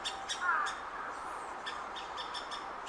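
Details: A great spotted woodpecker chick in its nest hole, waiting for its parents to bring food, begs with a steady hoarse chatter and sharp repeated bursts several times a second over faint hiss. Recorded June 2019, Hokkaido University Botanic Garden.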